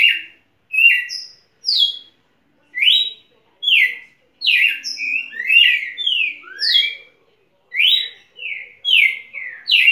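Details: Champion red-cowled cardinal singing a long run of clear whistled notes, some falling and some rising, in quick groups of two or three with brief gaps between, little else audible.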